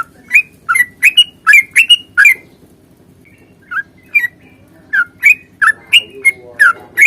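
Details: Yellow-vented bulbul (trucukan) giving a long 'ropel' fighting song used to prompt other bulbuls to sing: rapid, loud, slurred notes with a buzzy edge, repeated about three per second, a two-second pause, then more bursts. Faint low background hum.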